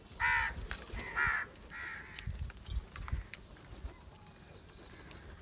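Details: Three loud, rough caws in quick succession from angry crows fighting over rice food, followed by a quieter stretch of faint background sounds.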